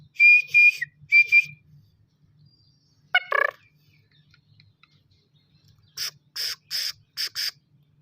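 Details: Young black francolin of a good breed, calling for the first time. Two steady whistles open, then a single harsh grating burst, followed by a quick series of five short, high, scratchy notes, over a faint low hum.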